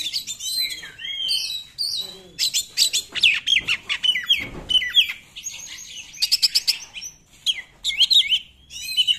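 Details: Oriental magpie-robin 'nembak' song, a lure for magpie-robins that are not singing: continuous varied whistles, slurs and rapid stuttering trills, with a burst of tight repeated strokes toward the end.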